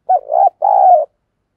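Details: Decoy dove used to attract wild birds utters one coaxing coo phrase: a short opening note sliding into a wavering middle coo, a brief gap, then a long, steady, slightly descending coo.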